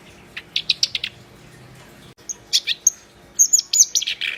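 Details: Singing black-browed reed warbler, lively and insistent: a burst of quick scratchy chattering notes, a brief silence, then high piercing whistles alternating with harsh grating phrases.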